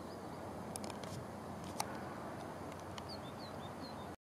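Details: Two of about five European pied flycatchers at Landtong Rozenburg, Netherlands, during a massive mid-August 2022 migration push (18 Aug), give thin, high, quick slurred whistles, single then several in a row, over wind or traffic rumble and sharp clicks.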